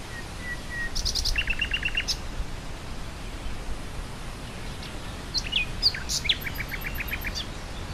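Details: Nightingale singing over wind through grassland: a thin drawn-out whistle, then a fast run of repeated chipping notes, sharp high clicks, and varied rapid phrases with more quick repeated notes, all against a steady rushing wind.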